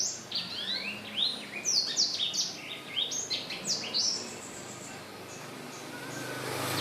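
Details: Lively song of a black-throated laughingthrush, recorded 15 December 2016: rapid sweeping whistled notes for about four seconds, then fading into steady background hiss and hum.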